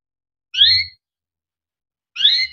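A Timbrado canary gives two short, bright, warbled phrases about a second and a half apart, high-pitched and slightly buzzy, with silence between.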